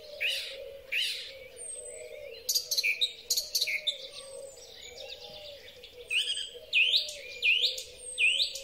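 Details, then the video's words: In spring, a song thrush delivers varied high phrases: scratchy bursts, thin whistles and rattly notes, ending with a sharply upslurred whistle repeated four times about every 0.7 seconds. A low wavering tone continues beneath. Recorded on a Huawei P30 Pro. "Drozd Śpiewak. Wiosenny koncert ptaków."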